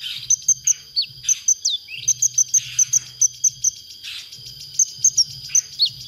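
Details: Konin song from a masteran recording for training songbirds: bursts of sharp high chips in quick runs, with brief downslurred whistles between them, over a steady high whine and a low hum.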